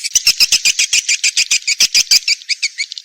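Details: Swiftlet lure call named Kadita, played to draw swiftlets into nest houses: a rapid run of short, high, raspy chirps about three or four a second, softening into twittering notes at the end.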